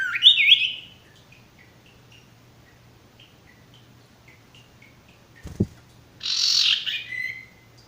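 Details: Male ashy tailorbird song: a bright sweeping whistled phrase at the start, then a quiet pause with a single knock, then a fuller burst of rapid high notes near the end.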